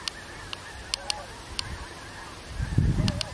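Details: Vast snow goose flock on 17 November: an unbroken wall of overlapping honking from countless birds, a few clearer nasal calls close by, scattered sharp clicks and a low rumbling burst near the end.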